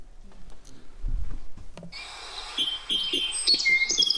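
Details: Song Sparrow song: three clear introductory notes, then a jumble of complex buzzy and twittering notes. Room murmur and low thumps come before the song.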